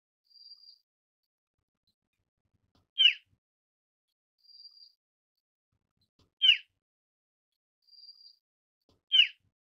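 Asian brown flycatcher: a faint, thin high whistle, then a sharp, sputtering chip note, repeated about every three seconds against quiet.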